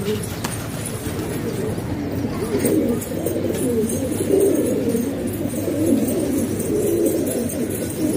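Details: House-kept pigeons from Pakistan coo steadily in a dense low chorus, with scattered louder throaty coos and faint background noise.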